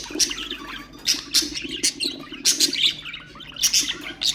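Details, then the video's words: Ornamental budgerigars producing stimulation sounds for other birds: clipped high chirps and squeaks in clusters about half a second apart over a soft twittering background. "اقوى أصوات طيور البادجي طيور الزينة أصوات تحفيز الطيور"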